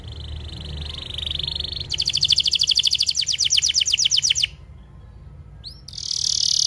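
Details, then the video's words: Canary tutor song for young and stalled canaries: a buzzy roll, then a loud rapid pulsed trill, a pause with two rising chirps, and a high buzzy roll at the end. "MASTERAN KENARI 30 MENIT DURASI PANJANG"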